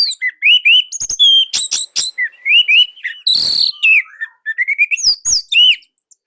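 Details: Indonesian orange-headed thrush singing a long, tight, loud phrase: rapidly varied chirps, downslurred whistles, harsh buzzy rasps and one long noisy rattle, closing with high looping whistles.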